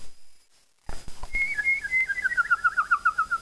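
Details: A pet female Double Yellow-headed Amazon whistles a quick run of clear, fluty notes that drift slightly downward, part of the Jayhawk fight song she whistles.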